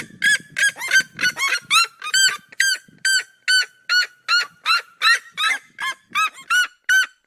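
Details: Red-legged seriemas duetting in the cerrado, their harsh, nasal yelps interleaved in a rapid, slightly irregular chorus of roughly two to three notes per second, with faint low rustling early on.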